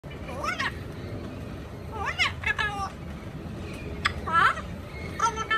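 An Amazon parrot talking in short, voice-like phrases with rising and falling pitch, three or four bursts over a few seconds, against a steady background hum.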